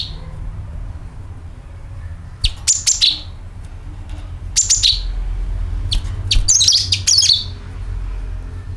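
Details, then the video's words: Sooty-headed bulbul call and rattling series used for luring birds: bright, clipped chirps in short groups roughly every two seconds, ending in a denser chattering burst, with faint low rumble behind. "CUCAK KINOI ||PANCINGAN PALING AMPUH TERBUKTI PASTI IKU BUNYI SUARA PANGILAN + NYERET"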